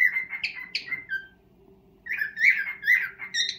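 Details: Pet cockatiel serenading a mate, its first serenade: a few bright chirped whistles, a short pause, then a run of quick rising-falling whistled notes; a low hum runs beneath.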